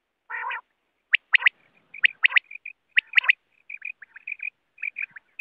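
Quail giving sharp, high, clipped notes, often in quick pairs and triplets at an uneven pace, after an opening harsh rasping burst.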